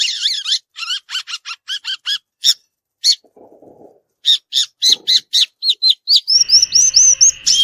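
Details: Violaceous euphonia singing in nature with a fast series of repeated sharp, double-toned chips, a short pause, then more chips and a run of rising whistled notes.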